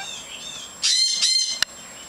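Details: Several pet lorikeets kept outdoors while their cages are cleaned, chattering: a short burst of shrill, bright, harmonic-rich screeching calls lasting under a second, followed by a single sharp click, over quiet background.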